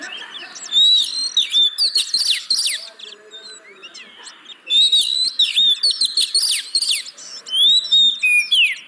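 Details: Oriental magpie-robin song used as a lure to prompt reluctant caged birds to sing: loud bursts of varied whistles, sweeping slurred notes and rapid trills, delivered in phrases separated by short pauses.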